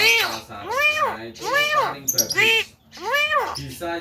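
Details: Javan myna singing: loud, nasal, harmonic-rich notes, each arching up then down, about four in four seconds at an uneven pace, with faint rustling behind.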